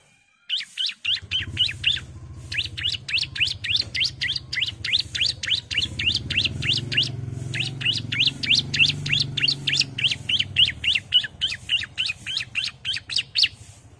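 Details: Female bar-winged prinia calling to the male, with long rapid runs of sharp, high chirps of about four per second, broken by brief pauses, over a constant low hum.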